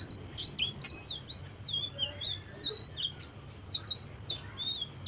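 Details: Blue-throated bee-eater giving quiet song as a prompt for other birds to sing: a chain of high, slurred chirps and rising flicks, fairly evenly spaced, over a steady low hum.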